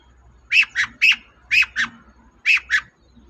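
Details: Long-tailed shrike, used as a lure to make a reluctant shrike sing: three pairs of hoarse, squawky double notes, each pair quickly repeated, with short pauses between pairs and a quiet background.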